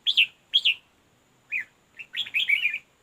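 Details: Red-whiskered bulbul heard during decoy fight-trapping of wild birds: loud chirpy warbled phrases, two quick bright notes, a pause, then a longer rapid jumbled burst of tweets.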